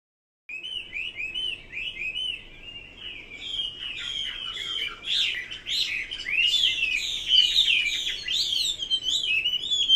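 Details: Chinese hwamei singing a long, varied run of clear whistled phrases, swooping and slurred notes that grow louder and richer toward the end, with faint low background hum.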